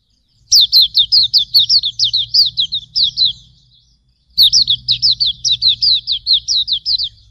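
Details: Hume's white-eye, pleci auriventer, tutor song: two loud bursts of quick, high downslurred chirps, roughly a dozen notes each, separated by a pause, with low rumble underneath.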